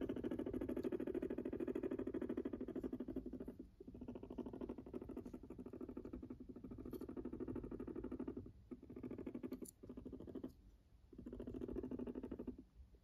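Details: Pet Silkie guinea pig (Cavia porcellus) purring: a low, rapid rumbling vibration that stops and starts in bursts.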